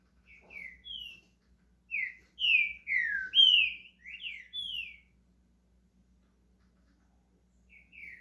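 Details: Green-winged saltator kept as a pet in Brazil, starting to sing: a burst of about eight sweet, sliding whistles over three seconds, then silence before a soft double whistle resumes.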